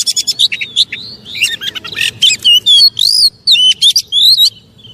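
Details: Kacer, or Oriental magpie-robin, in a provoking pancingan song: quick staccato chirps giving way to longer arched and rising whistles, the phrases separated by short pauses.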